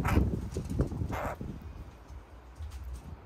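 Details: Caucasian jay growling while eating corn; it loves to growl when given something tasty. Two short raspy, broadband bursts come within the first second and a half, followed by quiet with a low background rumble.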